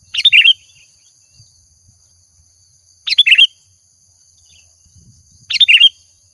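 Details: Sooty-headed bulbul, kutilang, singing actively as a lure: three brief bubbly phrases of quick tumbling notes, spaced about two and a half seconds apart, over a faint continuous high whine.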